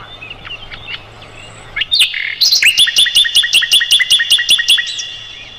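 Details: A Mugimaki flycatcher tutor song for white-rumped shamas and other clever songbirds. After soft twittering, loud squeaky notes lead into a fast, regular run of bright upslurred chips over a steady high tone.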